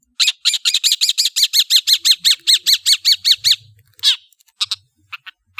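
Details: Long-tailed shrike delivering a harsh, evenly repeated note about fourteen times in three and a half seconds, followed by one loud down-slurred cry and a few scattered chips.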